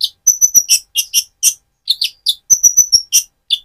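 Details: Van Hasselt's sunbird in spotted immature plumage, singing persistently as a lure to rouse another sunbird: sharp, very high chips and short metallic whistled notes in quick bursts, some held as thin level tones.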